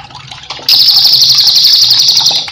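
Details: Cililin singing energetically as a master recording for cage birds: a brief soft chirp, then a loud, fast, buzzy trill of high repeated notes sustained for nearly two seconds.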